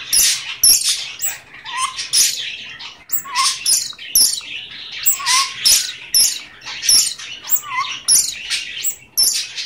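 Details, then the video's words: A male pet Goldie's lorikeet talking, saying "give me a kiss", in rapid, shrill, hissing bursts with short squeaky notes about every half second. "Talking Goldie's Lorikeet"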